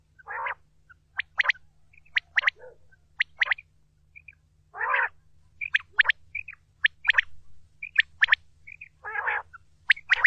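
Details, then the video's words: A quail recorded for hunting gives sharp, high clicking notes in quick pairs and triplets, broken by short rough buzzy bursts, repeating throughout over a quiet low hum. "Bater ki awaz Volume 2||Quail amazing voice"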